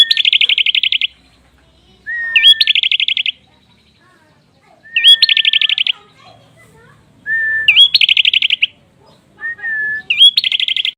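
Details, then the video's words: Repeated prinia song phrases every two to three seconds, each a short level whistle followed by a dense, rapid rattle of high notes; five phrases in sequence with quiet gaps. "PRENJAK ISIAN MEWAH"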